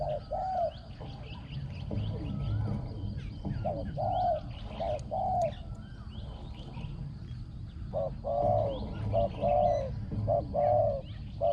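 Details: Decoy Spotted dove on the ground, noted for a small ringing voice and very good cooing. Mellow coos fall into short groups with pauses between. High twittering from other birds runs throughout.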